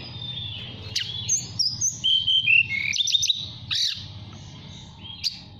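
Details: Flute-like song of a caged mountain tailorbird in Purworejo, Central Java, calling a female: sharp high whistles and sliding notes in short bursts, a few rapid ticks, then quieter pauses with background hum.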